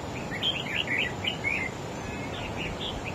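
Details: Red-whiskered bulbul, a wild-caught adult, singing in a duel with another bird and trying to overpower it. It gives a fast run of chirpy, looping whistled notes that tumble up and down, then softer scattered notes, over constant background hum.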